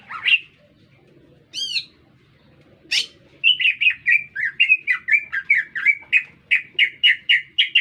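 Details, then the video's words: Green leafbird in full song within a city setting: isolated sharp notes and a ringing stacked call, then a fast, steady stream of rapid whistled chirps near three per second that grow louder toward the end. "Cicak Ijo Gacor Bikin Meledak Suasana"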